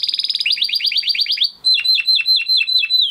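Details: Crested Spanish Timbrado canary cock from 2020 breeding, singing a training song: a fast rolling trill of rising sweeps, then slower descending notes tied by a steady high whistled tone.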